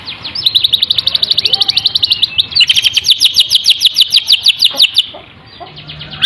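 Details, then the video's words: Canary-type song: long unbroken runs of rapid, evenly pulsed high trilled notes, about three per second, sliding slightly in pitch midway, then dropping away near the end, with a faint low hum underneath. "full kenari"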